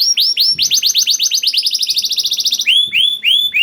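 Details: Young canary's lure song intended to make reluctant canaries sing: two swooping whistles, a fast even trill of rising-falling notes, then slower looping whistled notes.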